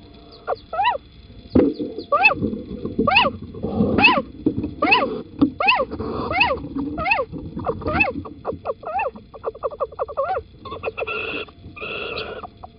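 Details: A little owl at Holten, 9 April 2020 around 07:10, while a mate brings an earthworm, gives sharp, mewing 'kiew' calls about once a second, ending in harsher, buzzier notes, over low background rumble.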